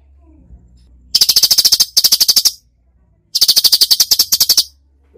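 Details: Cucak cungkok singing a gacor masteran song in full tembakan style: two dry, rapid rattling bursts of about ten sharp clicks each, separated by a short silence, with a faint low hum underneath.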